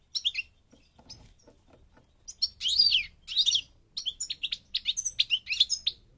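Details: Moroccan European goldfinch, parva form of North Africa, opening with a few short chirps, then after a pause launching into loud, rich twittering phrases of rapid tinkling notes and buzzy slurs, high-pitched.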